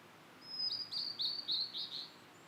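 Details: Blue-and-white flycatcher in satoyama, one loud phrase of five or six rich, wavering whistled notes at steady pitch delivered in quick succession.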